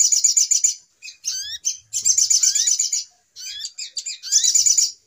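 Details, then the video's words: Sogok ontong lure call used in bird trapping: high rattling chatter bursts alternating with thin rising whistled notes, in phrases about a second long with brief silences between them. "Suara Pikat Ribut Burung Sogok Ontong Paling Mujarab"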